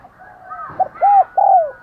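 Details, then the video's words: Decoy spotted dove calling to lure wild doves: a brief burst of soft coos, a short note followed by two longer smooth mellow coos, over faint background sounds. "Chim Cu Mồi THÚC GÙ Và GÁY GỌI Bổi Căng Đét"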